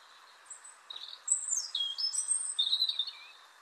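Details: A European robin sings twittery, high, fluty phrases, faster and with more notes than a blackbird, with big pauses between phrases and never the same tune twice, over a steady low hiss.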